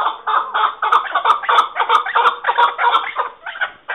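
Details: Continuous excited chattering of chukar partridge, dense overlapping chuck notes with faint sharp ticks on top, ending in a brief pause and a final call.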